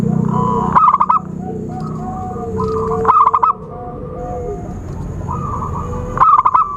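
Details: Lure recording of zebra doves for bird trapping. Three loud bursts of quick, clipped coos come roughly every two and a half seconds, with softer coo trills and level whistled notes between them.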